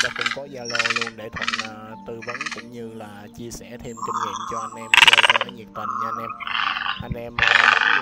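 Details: Calls of male and female large and small egrets gathering the flock, used to attract birds: a dense run of short, harsh squawks, then longer grating croaks, with layered music droning behind.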